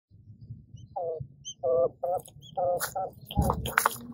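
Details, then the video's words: Japanese (Coturnix) quail hen on her nest of hatching eggs gives soft, low, nasal clucks in short bursts, starting up when she hears a newly hatching chick crying out; faint high chick peeps and rustling near the end. "Coturnix Quail Hen Calls to Hatching Chicks"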